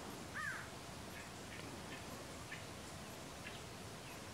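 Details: Rufous-tailed jacamar (Galbula ruficauda) at Los Tres Gigantes station in the Paraguayan Pantanal, February 2017: a single sharp, clear note arching up then down, given once near the start, followed by faint distant chirps over a steady hiss.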